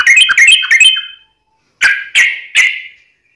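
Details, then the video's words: Trucukan, the yellow-vented bulbul, delivering tarung ngalas ropel, a fighting-style wild rapid song: a rich, bubbly opening phrase, a second of silence, then three separate ringing, slurred notes that fade away. "KICAU SUARA trucukan gacor TARUNG NGALAS ROPEL"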